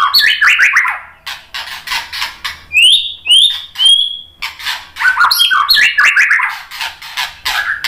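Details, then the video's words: Lure song of a White-rumped shama meant to draw answering song: bursts of harsh, scratchy rasping notes around a run of clear, high, rising and level whistles in the middle. "OCEHAN MURAI BATU memancing BUNYI jadi NYAUT GACOR NGEPLONG"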